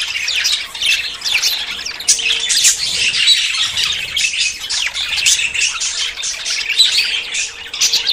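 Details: Budgerigars courting and about to breed chatter nonstop, with sharp upward-sweeping chirps, rasping squawks and soft warbling trills crowded together, a faint low hum beneath.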